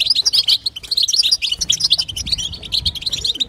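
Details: Female European goldfinch giving batbata and sastasa chatter, used to prompt a male goldfinch into song: dense, rapid high twittering of short bright chirps and trills, nearly continuous with quick clipped notes and a faint low rumble beneath.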